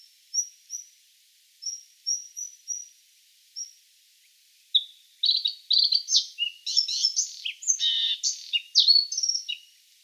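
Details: Bluethroat, Luscinia svecica, starting with thin, very high spaced tsip notes, then breaking into a dense, fast, varied song of twittering, rattling and whistled elements.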